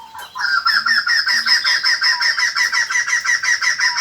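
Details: Lure song of the white-crested laughingthrush for attracting wild birds: a steady, fast cackle of evenly repeated harsh notes, nearly three per second, continuing unbroken.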